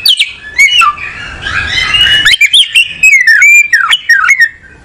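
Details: Kacer (oriental magpie-robin) song: rapid varied whistles with upward and downward slides. A harsher, noisy scratchy stretch in the middle is followed by crisp, ringing whistled phrases and clicks.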